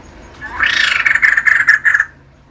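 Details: Female white-crested laughingthrush, a kept bird, producing a short loud outburst: a swelling harsh note that breaks into about eight quick, ringing pulsed notes before stopping.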